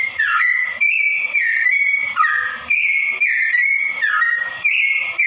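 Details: Vigorous sooty-headed bulbul song at a slow tone: bright fluty whistles held briefly, then dipping in short slurred flourishes, repeated roughly twice a second in an unbroken run.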